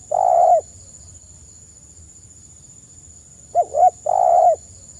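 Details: Spotted dove song for luring other birds to sing: a long hoarse coo, a quiet gap of three seconds, then two short curved notes and another long coo, low and mellow over a thin high hum.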